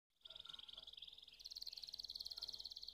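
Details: Canary singing a fast, dense rolling trill, high and buzzy, that steps up slightly in pitch halfway through and carries on without a break.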